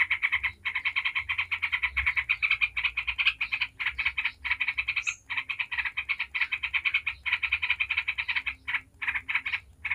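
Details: Yellow-vented bulbul in 'ngebren' mode, a lure chatter to get other bulbuls singing. Nearly unbroken stream of very rapid harsh notes for ten seconds, pausing only briefly a few times; one short high squeak midway.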